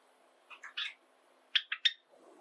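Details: Pet Java sparrow, one of a household group of seven, gives two bursts of three short, bright chirps, the second trio louder.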